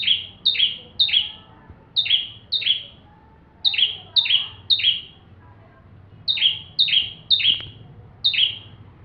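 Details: Bar-winged prinia singing energetically as tutor material for magpie-robins: high two-tone chips, each sliding down to a lower note, delivered in rapid bursts of three or four with short gaps between groups.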